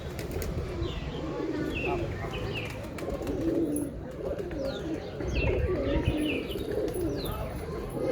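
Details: Pigeons cooing in a low, overlapping murmur, soft rolling coos layered throughout, with higher thin chirps from small birds scattered above and a steady background hum.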